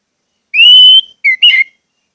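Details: Orange-headed thrush song, used to coax kept birds into singing: one long, steady, clear whistle, then two shorter whistled notes after a brief gap.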